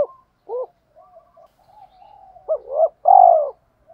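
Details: Spotted dove kept as a decoy bird, calling to provoke rivals: a single short hoot, a stretch of quiet murmuring, then two quick rising coos and a loud drawn-out purring coo.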